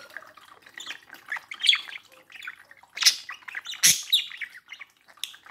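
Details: Domestic budgerigars, male and female, near their mirror reflection, giving a continuous babble of twittering notes broken by two strong squawks around three and four seconds.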